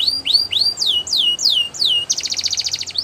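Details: A Belgian canary sings for canary training: about eight clear rising then falling whistled notes, evenly spaced, leading into a quick pulsed high trill at the end.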